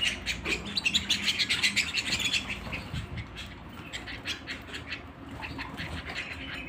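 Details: Canary singing at home: a loud run of rapid, rattling trilled notes fills the first two seconds, then fades into softer, scattered chirps over a low background hum.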